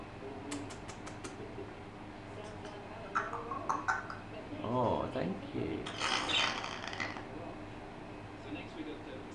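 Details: A six-month-old female African grey parrot whistles and chats indoors: a wavering, swooping whistle among clicks and chattering sounds, with a person speaking softly nearby.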